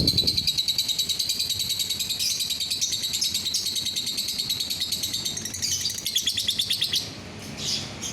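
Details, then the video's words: Lovebird delivering fast, pulsing chatter, roughly three notes per second stacked in a shrill buzzy stream, fading near the end; intended to make fellow lovebirds sing along. "DENGAR SESAAT SAJA, bikin lovebird yang lain ikut bunyi"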